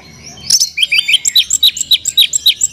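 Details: Oriental magpie-robin (kacer) singing an 'isian mewah' (rich fill-in) song: quiet start, then a fast run of sharp, high chirped notes repeated about five times a second, rising and falling in pitch.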